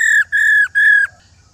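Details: A wild female white-browed laughingthrush, played to stimulate males to sing, gives three loud, level, slightly harsh notes, each slurring downward at the end, over a low background hum.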